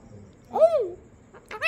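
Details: Pet parrot giving a short, arching caw-like call in answer to its owner, followed by a woman speaking Bengali.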